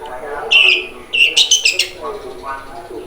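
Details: Young long-tailed shrike practising its twittering song: piercing high whistled notes, one held briefly, then a choppy burst of several sharp notes, with low murmuring in the background.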